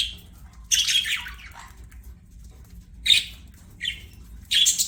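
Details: Pet budgerigar chirping: several harsh, scratchy bursts, the first a longer warbled phrase near one second, then short squawky notes around three and four seconds and a final rasping burst, quiet low hum between.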